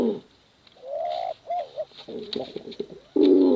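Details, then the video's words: Contest cooing from male and female pigeons, used to lure young birds; short rising coos and a long smooth note, then stuttering coos and a loud rolling coo at the end, with faint clicks. "Suara Bekuran Burung Merpati Lomba Hutan Dara Durasi Panjang"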